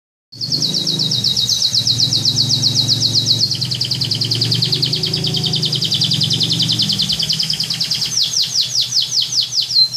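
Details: Loper canary singing energetically: long fast high trills of rapidly repeated notes, shifting rate midway, ending in louder swooping slurred notes; a steady low hum runs underneath.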